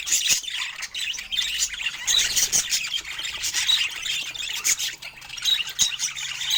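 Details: Soft loving chatter from budgerigars during a peaceful moment: continuous high warbling, fast chirps and squeaky notes layered together, occasional clicks, otherwise quiet surroundings.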